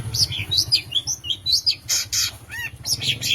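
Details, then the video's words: Long-tailed shrike with a mimicry-rich song meant to provoke rival birds: high wavering whistles, hissy bursts and a descending harmonic note, with low background hum. "Cendet Gacor Full Isian Variasi Suara Tembakan, Pancingan Burung Pentet Bahan Stres Macet Agar Bunyi"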